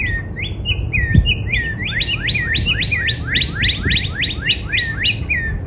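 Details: Northern cardinal in spring song in a backyard, a long unbroken series of about seventeen bright, sweeping whistled notes, steady and rapid, with a low background rumble throughout.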